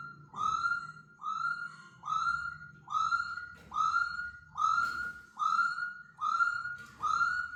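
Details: Laughingthrush released indoors for the first time, giving a clear whistled note that rises and then levels off, repeated steadily about every 0.8 seconds, with a low hum in the background.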